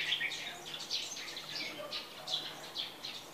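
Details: A captive Tây Trà red-whiskered bulbul, kept for one month and now moulting, gives bright, chirpy notes in quick bursts of several per second, over a soft background hiss.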